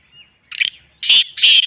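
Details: Natural recording of a Black francolin: a softer scratchy note, then two loud, harsh, grating bursts about a third of a second apart.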